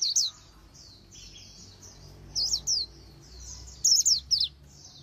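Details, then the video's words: Oriental white-eye in training for the fast 'líu đấu' contest warble, described as magpie-robin-like: soft high twitters with a few loud sharp slurred chirps in short clusters near the middle and end, over a quiet background. "Luyện Giọng Vành Khuyên Líu Đấu Siêu Nhanh | Khuyên Líu Kích Bổi | Khuyên Líu Giọng Chòe Chuẩn"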